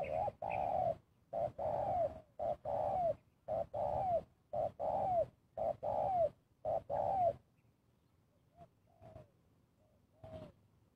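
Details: Spotted dove, kuk dua lure call: mellow hollow coos in a steady series, short hooked notes alternating with longer downward-sliding ones, then a few faint soft coos after the series stops.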